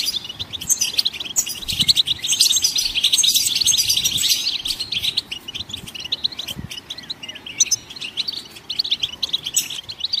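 Goldfinches twitter in a dense, continuous chorus of high, liquid chirps and buzzy trills, with several birds seemingly singing over one another.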